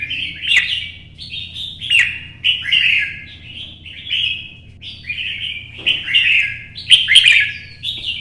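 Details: Caged competition red-whiskered bulbul in Vietnam singing solo in early sunlight while moving between perches: a steady series of short, sweet whistled phrases, each slurring downward, coming roughly every half second to a second, ending in a louder chattering burst.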